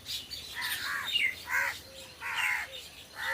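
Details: Crows living in trees, giving a mix of short harsh caws and rougher calls at uneven intervals, with faint thinner chirps from other birds between them.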